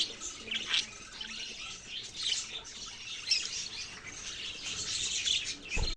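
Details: Continuous high chatter of budgerigars, twittering and chirping together in a busy flock-like murmur with a few louder peaks.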